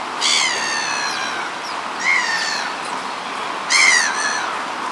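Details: Black-headed gulls wanting something but ignored: three harsh, nasal, downslurred screeches, each about a second long and roughly two seconds apart, over a soft background hiss.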